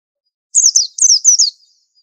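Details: White-eye, a very unusual bird whose training song should be unique: a burst of about six quick, thin, high chirps, each sliding downward, run together within one second in silence.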